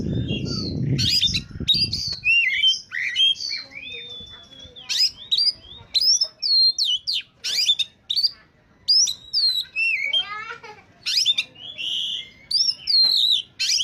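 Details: Oriental magpie-robin in peak singing form, used as a lure for wild birds: loud varied whistled phrases, slurred rising and falling notes and harsh buzzy bursts, after a low rumbling noise in the first two seconds.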